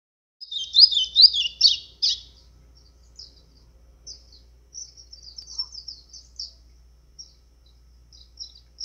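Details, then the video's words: White-throated seedeater singing in azulão style, used to fire up other birds: a burst of rapid high warbled notes in the first two seconds, then sparse faint chirps and short twitters over a quiet background. "GOLINHA CANTO AZULÃO COM CHAMO PARA FOGUEAR"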